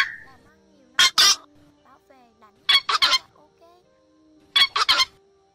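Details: Black-crowned night heron calling the flock and biting, played as a lure for night netting of migrating birds in August 2024; paired harsh, rasping squawks come in quick doubles and triples separated by about two seconds of near silence.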